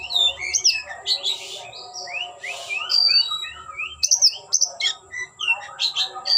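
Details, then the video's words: Oriental magpie-robin in display, tail opened, delivering a rich, fast run of slurred upward whistles and chirps, broken by two brief raspy bursts, with a faint steady tone beneath. "Kicau‘an Burung Kacer Ngeplay buka ekor"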